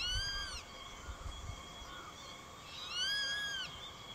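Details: Juvenile grey-faced buzzard calling insistently toward an adult perched beside it, which ignores it and finally drives it off; two loud arched whistled cries, each about half a second long, roughly two and a half seconds apart, over quiet background.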